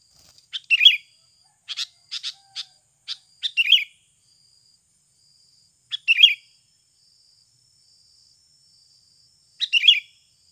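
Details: Sooty-headed bulbul calling repeatedly in a natural lure recording: a series of sharp clipped chips mixed with fuller warbled phrases, then single bubbly phrases repeating every few seconds against silence.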